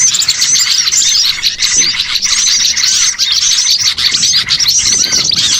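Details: Many small birds chattering at once in a bird-catching lure recording: continuous high tweets and rapid chirps, steady in loudness, the flock never falling silent.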